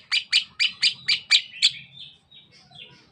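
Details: Greater green leafbird of the Sukamade type, East Java, giving seven rapid harsh chattering notes about four per second, then fading into soft high whistles.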